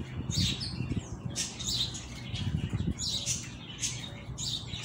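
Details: Coleiro, a double-collared seedeater just returning from moult, giving the tui tui song style: short bursts of high chirps and twittering spaced through the recording over steady low background noise.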